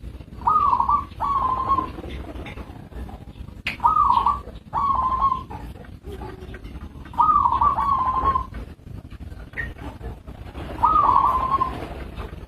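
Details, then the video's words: Local zebra dove calling in spaced paired phrases, each a fast pulsed coo with a quick rise at the start, repeated every few seconds over a quiet background. "Suara Perkutut lokal"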